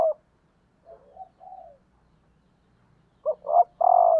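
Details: Female spotted dove calling as a lure to excite males. A hollow coo ending opens the clip, then a soft muted coo run, then a full phrase of two short notes and a drawn-out final coo.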